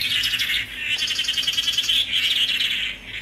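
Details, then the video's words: Continuous, fast, rattling warble from a tangará, buzzy and high-pitched. Two long phrases are separated by a brief dip, and a third starts at the end. The background is quiet. "Canto do pássaro "tangará""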